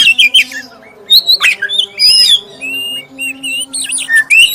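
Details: Black-breasted oriental magpie-robin lure song, bright and clear, intended to stir other magpie-robins: scattered sharp chirps and short whistled notes in separated bursts, a faint low hum throughout.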